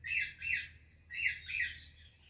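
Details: Parrot greeting another parrot, an Indian bird meeting a Pakistani one: four loud, raspy squawks in two pairs, each broad and harsh, with a short pause between the pairs and a quiet background.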